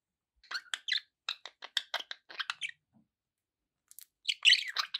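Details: Budgerigars make a run of quick, clicky chirps about four per second, then a pause before a louder warbling burst.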